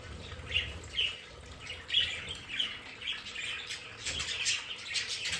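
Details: Budgerigars kept as pets in a home play area chirp in a run of quick, high, twittering notes about half a second apart. The chatter grows busier toward the end.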